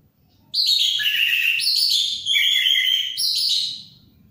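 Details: Orange-headed thrush in lively song: rich, varied phrases of clear slurred whistles and high trills running continuously for about three seconds, with a short break midway, in a quiet setting.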